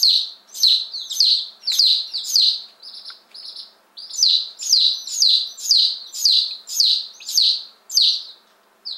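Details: One-day-old Appenzeller Spitzhauben and White Crested Blue Polish chicks, fifteen just in on May 19 2015, repeating strident downward-slurred peeps about twice a second, broken by a brief lull of softer steady cheeping midway.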